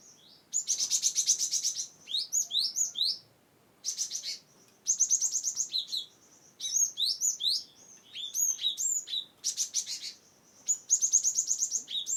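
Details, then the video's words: Cinereous tit song recorded in Wonosobo to draw out birds reluctant to sing: loud rapid trains of high buzzy chips alternating with hooked falling whistles, in repeated bursts with short silences between. "GelatikBatu(Cimberet/Glatikwingko) Pas untuk Burung yang tidak mau bunyi"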